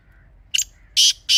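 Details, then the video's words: Grey francolin (teetar) calling, a recording offered as a hunting call: one short harsh burst, then two loud, grating, broadband notes about a third of a second apart, with quiet background. "تازہ تیتر کی اصلی آواز | Teetar Ki Real Voice"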